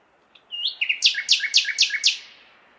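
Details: Nightingale song on a May night, recorded in a city: an upslurred whistle then six loud, evenly spaced, clipped notes repeated about four times a second, with faint traffic hum underneath.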